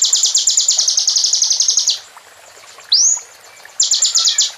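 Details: Rapid rattling trill of high, buzzy repeated notes for nearly two seconds from a plain prinia in full song, followed by a single upward-swooping whistle and a second buzzy trill.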